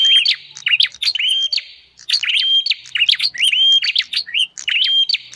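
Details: Bar-winged prinia lure call: piercing level whistles followed by quick rising and falling chirps, phrases repeated in two bursts separated by a brief silence.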